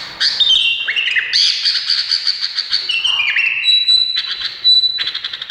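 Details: Indonesian bulbul pouring out a continuous, varied song of slurred whistles, dropping and rising glides and buzzy trills, with brief breaks between phrases and a rapid chattering ending.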